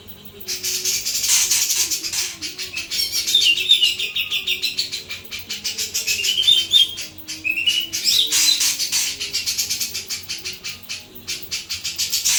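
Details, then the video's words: Vigorous, clear song of a Sooty-capped babbler: several high, quick, twisting whistled phrases scattered over twelve seconds, accompanied throughout by a dense stream of fast, dry clicking pulses and soft low humming tones. "JENGGOT JAWA GACOR FULL BESET SUARA JERNIH"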